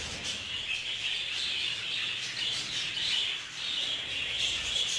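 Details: Budgerigars fighting in a communal aviary; harsh squawks and chirps rise and fall over a continuous high chattering chorus, louder bursts roughly every couple of seconds.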